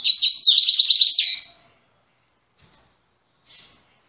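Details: Captive double-collared seedeater in Salvador, Brazil, resuming song after three months: a quick burst of high whistles and rapid repeated buzzy notes, then two brief isolated chips after a pause.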